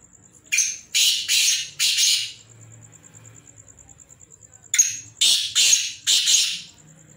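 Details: Black francolins kept in captivity give two series of three harsh, scraping notes separated by a pause of about two and a half seconds, over a constant high electronic tone.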